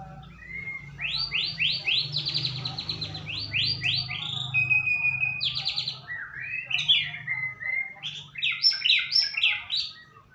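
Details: White-rumped shama lure song to trigger singing: long series of rapid, repeated rising high notes, several per second, broken by a short steady whistle, then more clustered rising notes.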